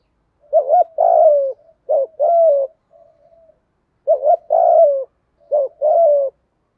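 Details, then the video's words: Spotted dove cooing in 'thổ' style with urging coos and calling coos, used to excite and train other doves. Repeated phrases of a quick wavering note followed by a longer, downward-sliding coo, with faint soft notes between them. "cu gáy giọng thổ pha gù thúc Kèm gáy gọi nhiều"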